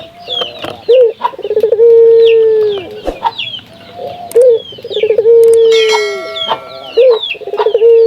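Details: Local puter dove calling to stimulate other doves to sing; three low coos about every three seconds, each with a short lead-in note, a rolling stutter and a long sustained hum, over busy high-pitched chirps from small birds.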